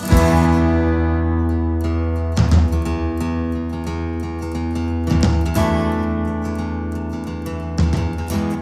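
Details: Acoustic guitar strumming and plucked chords, with no animal calls heard.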